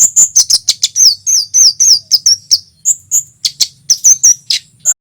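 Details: Javan olive-backed tailorbird, male, in loud lively song used as a lure for wild small birds: rapid high thin chirps and short whistled slurs repeated in quick bursts, with a faint low hum beneath.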